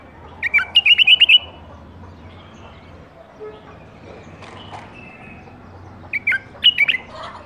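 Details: Captive-bred bulbul from the 2018 season: a fast run of repeated sharp whistled notes, then a softer, shorter phrase some five seconds later.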